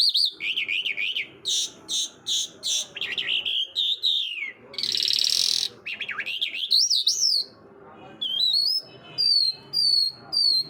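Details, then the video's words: Mushadi Irani jal bird singing fast warbled and whistled phrases mixed with buzzy rasping notes and a harsh hiss-like burst, ending in a series of short, high, evenly spaced chirps. "Mushadi Irani jal singing birds"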